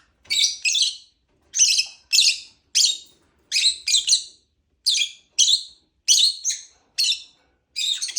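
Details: Lovebird chirping in regular pairs of shrill, high notes, each double chirp spaced roughly half a second apart, a steady stuttering pattern with silence between.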